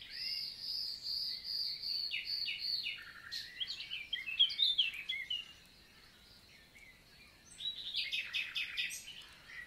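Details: Common nightingale, summer daytime song recorded 11 June 2023 in countryside forest, Lot, southern France. A sustained high whistle leads into throaty repeated notes and a jumbled twittering flourish, then a pause and a fresh series of loud clipped notes.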